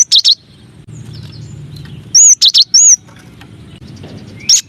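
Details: Masteran song of the cinereous tit, known locally as gelatik wingko: scattered bursts of high, bright, curling whistles separated by quiet stretches filled with faint low background noise.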